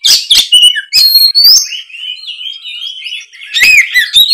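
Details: Kacer singing in the 'gacor ngeplong' style to make juvenile spotted birds answer; sharp opening notes, then long clear whistles that glide and waver, and a closing cluster of twisting notes.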